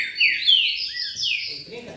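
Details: Green-winged saltator (pixarro) singing in the baderninha style: loud, clear whistled phrases that slide downward, overlapping in a brief burst, with faint low rustling noise at the end.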